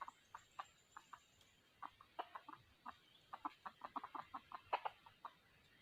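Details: Red junglefowl used as a decoy for trapping wild junglefowl, 2020: quiet, evenly spaced clucks, several bursts bunching into quicker runs, over a faint background hiss.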